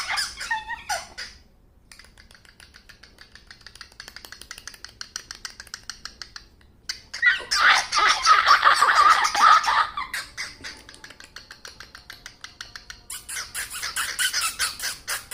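A cockatiel makes a run of squeaky, rasping chatter and scratchy, buzzing noises.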